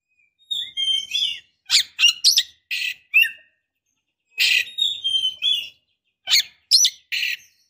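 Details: Female white-rumped shama in breeding condition calling to a male: clean bursts of bright whistles and scratchy chirps, some notes sliding down, given in short phrases with pauses between, no other sounds.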